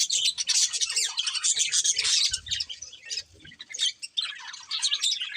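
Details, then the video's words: Colourful budgerigars, a breeding pair, keep up continuous scratchy, buzzy chatter. Rapid squawks and warbled chirps overlap with almost no pause, and faint low thumps sound underneath. "Colourful Budgies Chirping Sounds"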